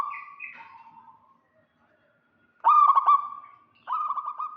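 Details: Local zebra dove calling to lure a rival, males and females answering each other: a soft falling coo, a pause, then a loud rapid stuttered coo burst and a second shorter trilled burst.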